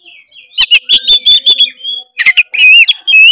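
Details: Oriental magpie-robin song meant to provoke a lazy bird into singing: varied sharp whistled notes and clicks in quick bursts, some buzzy chatter, with brief pauses between phrases.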